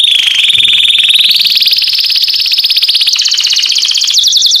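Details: Loud canary song to attract females: one continuous rapid trill rising gradually in pitch, ending in a faster, higher rolling series of clipped notes.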